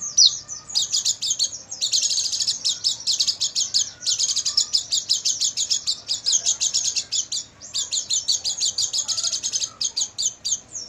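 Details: Night master recording of an Oriental white-eye for training caged birds: long, dense bursts of fast, high, buzzy twittering notes, run together into a vigorous chatter with two or three short breaks.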